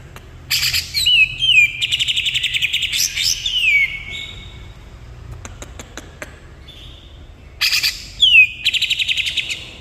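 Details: Cucak ijo, the greater green leafbird, delivering 'nembak kapas tembak' song: bursts of loud ringing whistles and rapid chattering trills, separated by a few seconds of near silence with faint clicks, before another shrill burst.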